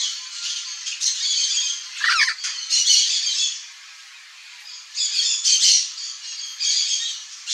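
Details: Turquoise-fronted amazon, a wild parrot in its natural Brazilian habitat, calling with a series of harsh, grating squawks in irregular bursts, broken by a short pause in the middle.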